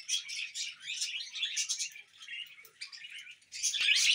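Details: Pet budgerigars chirping in a dense stream of high, twittering notes with scratchy warbles, rising into louder sharp chirps near the end.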